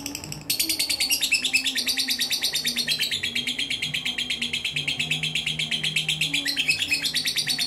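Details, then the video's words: Competition lovebird with a mentil style of singing: after a short pause it bursts into fast, high, scratchy chatter that runs on without a break, pulses packed tightly and evenly over a soft low background drone. "Gak mentil Gak Asik"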